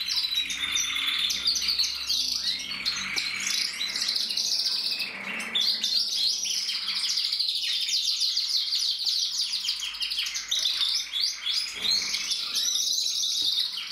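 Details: Mosaic canaries bred in Germany in 2024 fill the room with a steady mass of intertwined high trills, twitters and warbled phrases from several birds at once.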